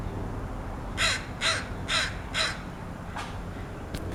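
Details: A crow making strange sounds: four harsh, rasping caws in quick succession, evenly spaced about half a second apart, then a fainter fifth call, over a low steady background rumble.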